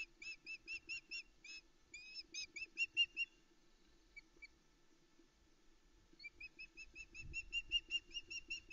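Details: Female osprey on a Loch Arkaig nest around 5am in July 2019, awaiting food from the male: rhythmic series of high, clipped whistles, a quiet gap with a couple of stray notes, then the chirping resumes with faint background rumble.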